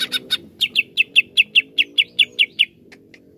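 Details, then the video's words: Greater green leafbird used as a therapy recording for leafbirds slow to sing: a few soft opening notes, then about a dozen sharp, bright notes repeated steadily about four times a second, ending abruptly, over a faint low hum. "TERAPI CUCAK IJO LELET BUNYI"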